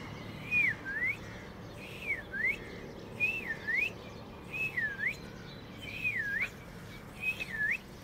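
Asian koel giving clear whistled notes that dip and then rise, repeated six times at roughly one-second gaps, over a steady low background hiss.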